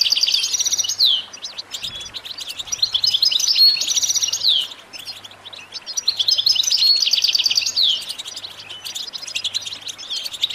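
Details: European goldfinch singing nonstop: fast tinkling twitters and buzzy trills, high-pitched, in phrases of about three seconds separated by brief quieter gaps.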